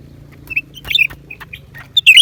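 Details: Lesser green leafbird singing, January 2023: a quick run of clear whistled notes and chattering slurs, ending in a loud, complex twisting phrase, with a low humming background.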